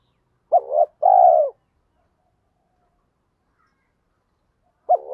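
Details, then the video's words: Lure spotted dove in 'thổ pha' voice, its rapid sewing-machine-like cooing used to provoke wild males. One full phrase, a short stuttered double note then a held mellow coo, followed by silence and the start of another phrase. "chim cu gáy mồi giọng thổ pha thúc gù như máy khâu, bổi nghe ức chế gáy theo, mở là gáy"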